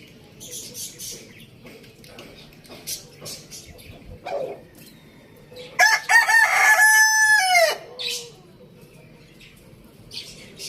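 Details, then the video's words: At a farm village, a rooster crows for about two seconds amid scattered chirps and clicks. The crow starts abruptly, stays loud and raspy, then slides down at the end. "Amazing rooster crowing sounds"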